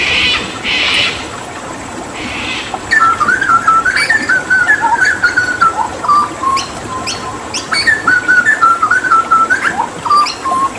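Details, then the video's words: Papuan hooded butcherbird singing 'tembakan' tutor song with water therapy: hissing bursts at the start, then sustained warbled whistling phrases mixed with sharp high clicks for the rest. "Masteran Tembakan JAGAL PAPUA gacor"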